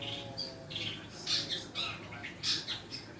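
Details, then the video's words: Young long-tailed shrike learning its song: scattered short, harsh squawks and chirps in uneven bursts, some brighter notes near the middle and end, over a steady low humming background. "burung cendet belajar bunyi"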